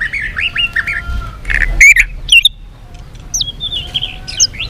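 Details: White-rumped shama fighting song, many voices: wavering whistled phrases broken by harsh squawky notes and a few rising slurs, moderately loud against low background rumble.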